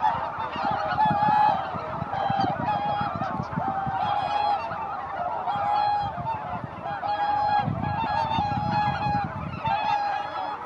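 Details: Large flock of greater white-fronted geese arriving at their roost on Izunuma marsh in Japan, giving constant overlapping high honks and yelping calls, with low rumbling wingbeat or wind noise in the background.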